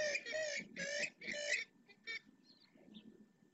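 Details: Purple swamphen parents calling their three chicks to come and be fed at Riet Vell ornithological reserve, Ebro Delta; four loud nasal, harmonic honks about half a second each, then two shorter notes and faint high chirps.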